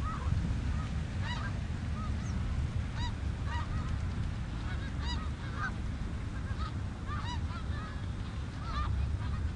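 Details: Snow geese on the Richelieu River: a flock giving many short, arched, nasal honks that overlap in a busy chorus throughout, over a steady low rumble.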